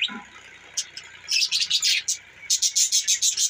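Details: Budgerigars chirping: a quiet opening, then from about 1.3 seconds a run of short, high, scratchy chirps repeated rapidly, about three per second, with brief gaps between bursts.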